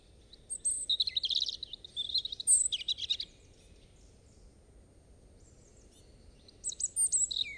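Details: A European robin gives a high, warbled phrase of thin whistles and short trills. A silent pause of about three seconds follows before another shrill burst of notes begins.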